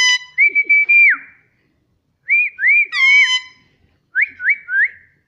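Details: Pet Indian ringneck parrot, a rose-ringed parakeet, kept as a talking bird: three bursts of clear whistled notes, each a level tone that bends up or down, the last a run of three quick rising whistles. The room is otherwise quiet.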